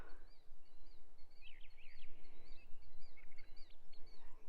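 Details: Killdeer by a small lake at the south end of a quarry near Lake Huron, Michigan: a run of shrill, slurred whistled notes, rising and falling in quick bursts, over steady low wind rumble.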